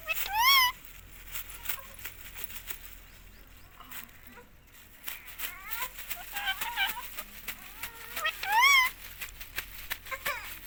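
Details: Pet rose-ringed parakeet in India repeatedly saying "mummy" nonstop: two loud, rich, buzzy rising-and-falling word-like calls, one at the start and one near the end, with quieter chatter, clicks and faint room noise between them.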